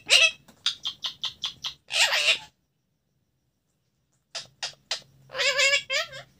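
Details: A talking parrot: bursts of harmonic, speech-like chatter made of short clipped syllables, a pause of about two seconds, then more rapid syllables and a longer warbling phrase.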